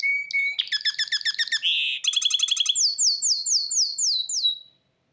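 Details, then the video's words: Hybrid canary singing: a rapid series of rolled, buzzy trills, then a brief harsh burst and a steady pulsing run, ending in a descending chain of clear whistled notes repeated about three per second. "تغريد هجين كماتشو"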